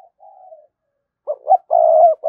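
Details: Spotted dove kept as a decoy, cooing to draw out rival birds. A soft falling note, a pause, then a stuttering lead-in and a loud, full coo.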